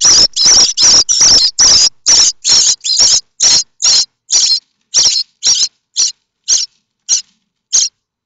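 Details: Common starling nestlings in their nest at Théding on 7 May 2024, begging for food from an arriving parent: a rapid series of loud harsh rasping bursts that slows, shortens and fades, about sixteen calls.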